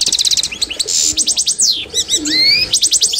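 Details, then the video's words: Authentic Constantine-style European goldfinch song, used as a model for other birds to learn from: rapid liquid twittering, buzzy trills and short nasal notes, with two clear rising whistled slurs near the middle, delivered in fast bursts. "تتعلم مع الحسون القسنطيني الاصيل"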